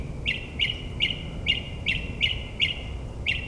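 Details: Night-singing mockingbird in suburban New Jersey imitating another species, repeating a short buzzy chirp about every half second, eight times in a row, over low traffic-like rumble.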